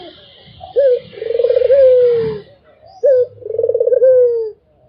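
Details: Two cooing phrases from a Barbary dove: a sharp short note, then a long throbbing coo that smooths into a gently falling tone, with soft low background rumble.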